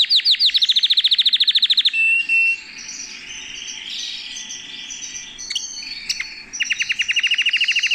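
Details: Held in a hand, a canary opens with a rapid rolling trill of high, downward-sweeping notes, drifts into a softer warble, then bursts back into the fast trill.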